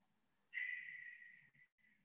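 A Barn Owl gives a harsh, hissing screech lasting about a second, followed by two shorter raspy bursts; a faint low hum sits underneath.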